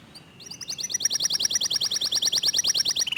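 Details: Local canary delivering a rapid 'tembakan' burst: after a soft start, a clear, steady trill of high pulsed notes, roughly eight per second, holding its pitch throughout.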